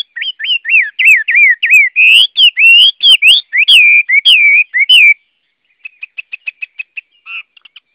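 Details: Song of the Chinese hwamei, Garrulax canorus: a loud, fluid series of looping whistled notes repeated rapidly for five seconds, followed by a softer burst of short, even clipped notes.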